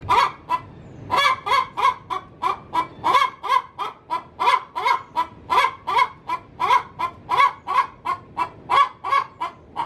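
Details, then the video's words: Hen cackling in her coop before laying an egg: a fast, steady run of harsh, nasal, rising-falling clucks, roughly three per second, continuing without pause for ten seconds. "Suara asli ayam betina"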